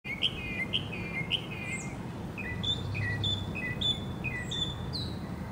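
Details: Northern mockingbird singing in Hermann Park, Houston, Texas, USA: short downslurred whistled phrases, each repeated two or three times before switching to a new, higher phrase, with low background hum.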